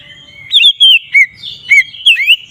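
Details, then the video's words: Short ngeplong phrase from an Oriental magpie-robin, a lure to provoke other magpie-robins: five or so clear whistled notes, some swooping up, others dipping down, sweet and melodious. "Suara burung Kacer ngeplong ini paling ampuh untuk pancingan Kacer agar emosi"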